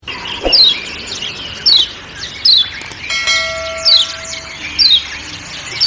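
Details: Lombok kecial kuning giving its ciak ciak call amid forest sounds: high, sharp chirps slurring downward, in short bursts about once a second, with a steady bell-like ringing tone entering midway over a quiet background hiss.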